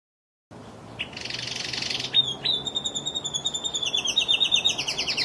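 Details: After a moment of silence, a Lizard canary gives a short buzzy phrase, then a long sustained whistle running into a fast rolling trill of high notes.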